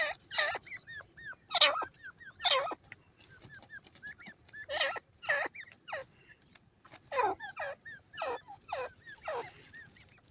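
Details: Francolin (teetar) calling loudly: harsh broadband bursts, each trailed by hooked, curling notes, repeated at irregular intervals of about a second, with other chattering birds faint behind.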